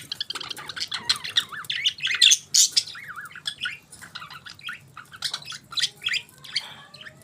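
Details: Several budgerigars chattering in the morning, a dense stream of warbled, wavering chirps and scratchy squawks about three per second, rising and falling in pitch, over a quiet low background hum.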